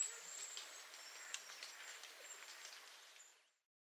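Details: Hazel grouse giving its autumn whistle near Yelno, Novgorod oblast, Russia, on 20 September 2018: very high, thin, drawn-out whistles, several strung together over a few seconds, above a steady outdoor hiss.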